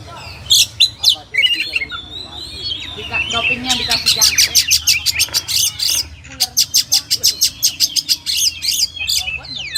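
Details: Oriental magpie-robin, locally kacer, singing rich warbled phrases, then a long rapid series of sharp repeated chip notes, roughly three per second, with mimicry-like harsh bursts.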